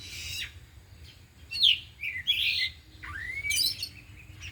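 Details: Caged oriental magpie-robins, four birds in afternoon training, showing off isian mimicry. Sparse song here: a short buzzy burst, then clear upslurred whistles and a loud rising whistle near the end, with quiet hum between.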